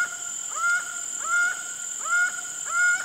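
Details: Acauã or laughing falcon calling in a steady rhythm, each note a short upward-sweeping, then level, clear tone, repeated roughly every 0.7 seconds; constant high-pitched hum in the background.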